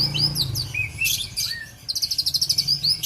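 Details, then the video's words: Argal-type oriental magpie-robin kept in Aceh, Indonesia, mixing slurred high whistles and a lower drawn-out note, then a fast even trill of about a dozen bright chips. "kicauan Kacer Argal"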